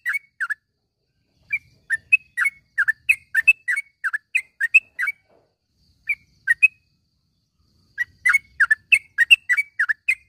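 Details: Morning calls of a yellow-vented bulbul, intended as tutor sound for caged birds that have gone quiet. Rapid bubbling chirps run in long bursts, broken by a gap of about a second and a half.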